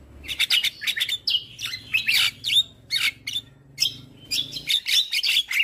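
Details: Black-winged starling singing in the morning as a training recording for other birds: a dense, rapid chatter of squeaky whistles, harsh notes and buzzy fragments, nearly continuous with brief gaps.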